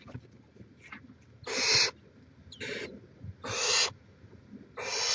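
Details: Barn owl at a nest on a live camera in Chula Vista, California, 18 May 2017; harsh, raspy, breathy hissing bursts of about half a second, four of them roughly every second, with faint rustling between them.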